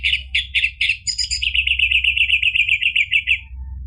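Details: Orange-headed thrush in full song, played to provoke another bird into singing: a few loud ringing phrases, then a fast even rattle of about fifteen bright repeated notes fading out, with a low steady hum behind.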